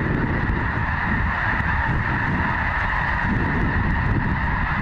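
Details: A huge flock of snow geese gathered at Goose Pond Fish & Wildlife Area in Linton, Indiana, calling together in a nearly deafening chorus of countless overlapping honks, steady and unbroken, over low rumbling noise.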